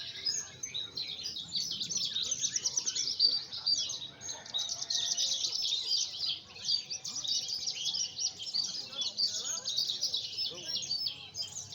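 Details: Javan bush lark song recorded in Sumedang, West Java: an unbroken stream of rapid, high, scratchy chirps and warbled trills over nearly twelve seconds, with faint low rumble beneath.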